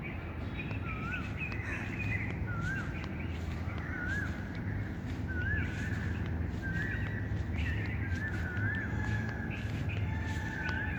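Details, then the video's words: Birds chirping outdoors: wavy whistled notes, each a short up-and-down twist, repeated every second or so throughout, over a steady low rumble. "birds chirping sound"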